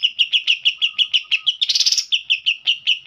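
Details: A green leafbird delivers a kapas tembak-style song: a fast series of sharp, bright chips about six a second, interrupted midway by a harsh, dense rattling burst before the chips resume.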